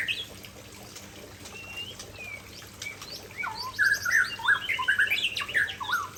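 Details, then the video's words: White-rumped shama, Aceh type, singing signature fill phrases: a few soft, thin whistles at first, then louder rapid bursts of rich slurred and chattering notes in the second half. "Murai Aceh Tumpahkan Isian Andalan"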